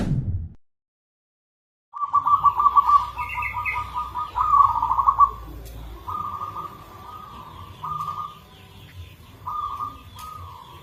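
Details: Local zebra dove with a rare, unusual rhythm, singing a lure song: after a near-silent start, rapid trilled coos come in bursts, then longer steady rolling coo phrases, over a constant low hum with faint chirps from other birds.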